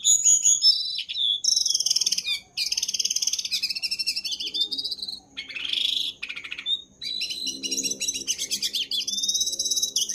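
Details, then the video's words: Jongkangan (brown-throated sunbird) singing energetically, used as a master song for training other birds: dense, high, rapid chirping and twittering phrases, sharp trills and squeaky rising notes, almost continuous with brief pauses, no other clear sounds. "Burung Jongkangan Gacor dor"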